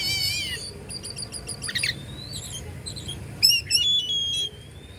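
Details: Bandung kacer, an Oriental magpie-robin, sings to stir up competing birds with a descending whistled phrase, then spaced high ticks. A long thin rising whistle follows, with a louder chattering burst near the end.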